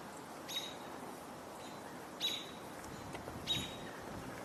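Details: On 17 July 2025, an American robin in a tree gives three sharp, high, clipped call notes, one every second and a half or so, over a steady outdoor hiss.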